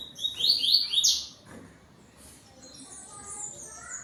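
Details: Double-collared seedeater with a yellow bill singing tui tui to another bird on 12 November. Several loud, sharp, high downslurred notes come in quick succession during the first second, then softer, scattered high chirps continue.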